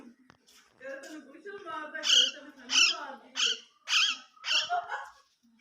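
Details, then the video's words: Pet parrot talking in Urdu/Hindi, reciting the kalma indoors: a run of six loud, nasal, speech-like syllables, each a bright harmonic burst about half a second apart, after softer mumbled phrases. "The Speaking Parrot Talking In Urdu/Hindi"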